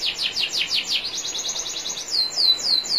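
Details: Canary training song from a national champion bird, faint water trickle behind: quick downslurred notes running into a smooth trill, ending with a series of slower swooping whistles.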